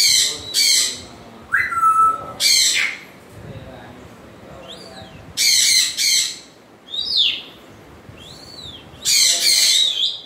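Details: African grey parrot giving loud, harsh, broadband screeches in short bursts, mixed with clear whistles that rise and fall in arches, plus one long flat whistle near the start.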